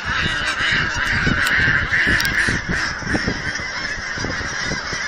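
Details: Geese by the thousands at a Texas aquatic center in Hereford call while visitors feed them: a rapid stream of short honks, roughly two or three per second, over a softer background chorus.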